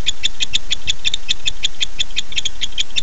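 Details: At night a male barn owl calls for his mate, dated 9-8-15, 9:54 pm; crisp ticking notes run in a quick, slightly irregular stream against a constant low background rumble.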